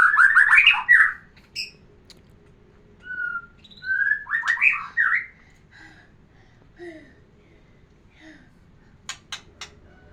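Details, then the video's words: White-rumped shama song used to put a female in breeding condition: a warbled trill, a short whistle, another warbling phrase, then quiet scattered notes and faint ticking. "terapi kicauan murai batu biar pancing birahi betina"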